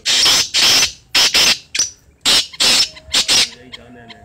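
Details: Kala teetar, the black francolin, calling with grating, broadband notes delivered in quick paired bursts before trailing off, leaving a faint low tonal hum at the end.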